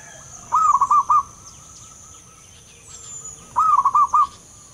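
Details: A wild local zebra dove gives two phrases of soft, rolling coos, each a rising note then quick bubbling notes, about three seconds apart, over a faint high insect hiss.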